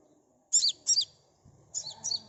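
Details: Sunbird song meant to draw a fast singing response from other birds: high, thin double chirps repeated in quick pairs, then a softer pair of twittered notes over a low background rumble.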